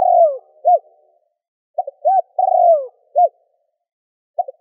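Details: Spotted dove cooing and calling to stir up wild doves as a lure: low mellow phrases of short clipped notes, a rounded coo and a long drawn note sliding downward, repeated about three seconds apart in near silence.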